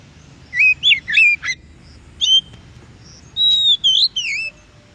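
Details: Wild Oriental magpie-robin song meant to draw a reply from captive birds: a quick run of bright looping whistles, then a single short note, then a drawn-out whistle followed by wavering rising phrases, over faint steady background noise.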